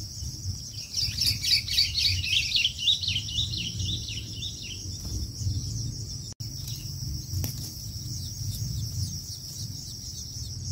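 Long-tailed shrike chicks give a rapid burst of thin, high chirps over the first few seconds, then fewer, against a steady high hiss and low rumble.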